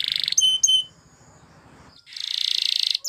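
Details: Belgian canary training song fragment: short buzzy trill, two sharp whistled notes, a quiet gap, then a loud rolling pulsed trill.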